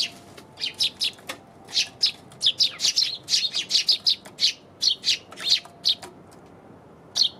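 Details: Eurasian tree sparrow chirping on January 27: a steady run of sharp, high chirps about three or four per second, sometimes doubled, with short gaps between groups.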